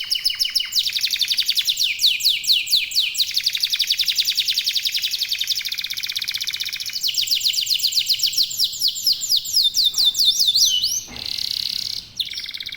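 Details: Local domestic canary (kenari lokal) singing loudly as a lure to set other canaries singing; long rolling high trills shifting speed and pitch, fast rattling runs and sweeping notes, one brief burst of harsher noise near the end.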